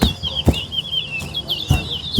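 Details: Towa-towa (chestnut-bellied seed finch) singing in a West Coast versus West Bank bird singing competition: a continuous warbled, twittering phrase, sharp broadband knocks, and a man counting songs aloud.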